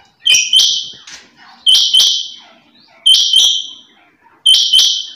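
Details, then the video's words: Female rain quail calling: a sharp, metallic double note, a quick click followed by a bright ringing whistle, repeated about every one and a half seconds. "چنگا بٹیر کی آواز /Quail sound/Bird sound/chinga batair ki khubsoorat awaz"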